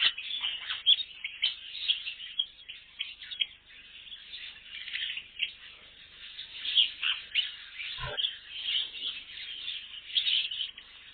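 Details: A colony of birds in an aviary: a dense, continuous chorus of many overlapping high chirps and squeaky chattering notes, with no pause throughout.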